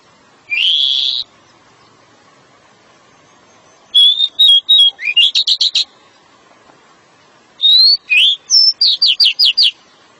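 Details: A male pied bushchat singing a long song to entice a female gives three bursts of high, bright song: a clear whistled note, then quick strings of sweet, rapid notes, with short pauses between phrases.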